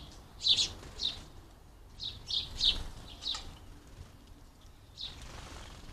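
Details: Hungry house sparrows at a squirrel buster feeder in a UK garden give strong, emphatic chirps, singly and in quick pairs, pausing before a final softer note.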